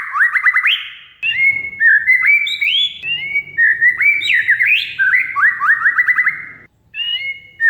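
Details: Oriental magpie-robin, a caged bird, song played as a lure to stir a silent bird into singing: loud, varied whistled phrases with rapid rising notes and sharp chattering trills, short pauses between bursts, faint low rumble beneath.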